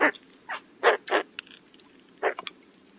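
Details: Roseate spoonbill calls: short, hoarse, bark-like grunts in an uneven burst, two or three close together, then a pause before another pair of rough notes.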